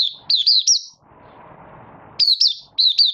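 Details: Caged Malaysian Oriental white-eye in minor moult and building form, recorded 24 August 2023, opening into song: bright, slurred whistled notes in short bursts, each note dipping and rising. A low rumbling background noise fills the pause between bursts.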